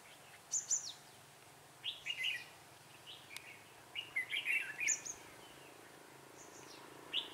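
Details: Red-whiskered bulbul singing lively as a decoy for trapping wild birds, recorded 6 December 2016: repeated rapid warbled phrases of rich chirps, mixed with very high thin whistled notes, over soft background noise.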